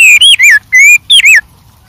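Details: White-rumped shama singing in the wild: a brief phrase of loud, clear whistled notes, some rising and some slurred downward, with short gaps between them.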